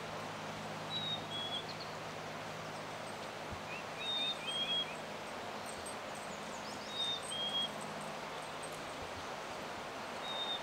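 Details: Black-capped chickadee male in song at South Mesa Trail, Eldorado Springs, Colorado, 9 May 2020, on a group bird walk: pure whistled two-note phrases, the second note lower, repeated about every three seconds, four times, over light rustling and distant twittering birds.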